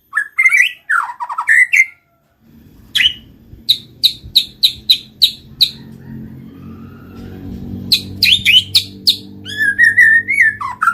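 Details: White-rumped shama, murai batu, song used as a lure to trigger singing and mating: bursts of sharp clicks and whistled notes around mid-high pitch, a series of evenly spaced chips, then rising whistles and chatter, with a low hum beneath.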